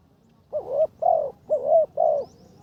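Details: Spotted dove used as a ground decoy, on its third training session and improving, giving a karom-style call: four clear, low hollow coos, each slightly rising then falling, about half a second apart, with faint background hum.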